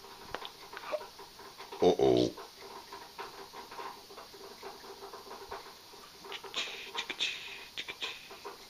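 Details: A pet African grey parrot during morning play gives one loud, voice-like, harmonic utterance lasting about half a second, then soft chatter and a few sharp clicks over light rustling.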